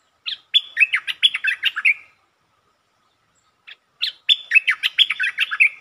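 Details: Streak-eared bulbul giving long song phrases, recorded 13 February 2023: a rapid chattering run of about a dozen slurred whistled notes lasting nearly two seconds, a pause, then the same long run repeated.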